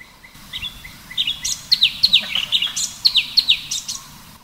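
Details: Sooty-headed bulbul (Pycnonotus aurigaster) giving a fast run of bright, bubbly notes, a few each second, at a waterfall, with a soft background rush like falling water.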